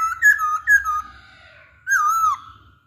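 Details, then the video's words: Masked laughingthrush used as a singing lure, giving two clear slurred whistles and, after a short pause, a longer wavering descending whistle. "Pancingan Poksay Hongkong"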